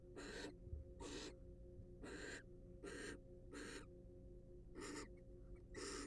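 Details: Wild barn owls at a monitored nest box, part of a research group's study. Broadband, harsh hissing screeches about half a second long repeat roughly every second, seven in a row, over a steady low hum.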